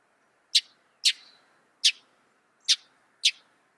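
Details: Northern mockingbird, a mimic of other birds, giving five sharp, harsh single notes spaced irregularly about half a second to a second apart, over faint background hiss.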